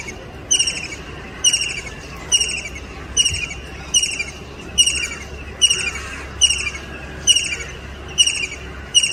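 A kingfisher gives sharp, shrill, high-pitched notes, repeated a little faster than once a second, over a faint low rumble.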